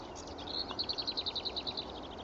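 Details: Lesser whitethroat (Curruca curruca) singing at Pegwell on the morning of 24 April 2015: a few soft scratchy notes, then a dry, rapid rattle of about a dozen high notes; a hoopoe is possibly calling faintly in the background.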